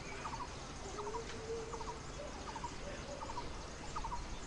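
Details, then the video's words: Blue-throated barbet gives short, rolling three-note phrases about once a second in the Himalayan foothills in summer, with a few lower mellow notes from another bird, over steady background rumble, while a red-billed blue magpie feeds four chicks at its nest. "With a Blue-throated Barbet calling in the background"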